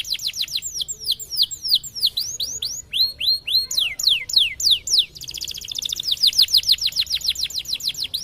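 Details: White canary delivering a rich song for training young birds: quick descending whistles, arched rising notes, then a long fast trill of short repeated sweeps, about three notes per second.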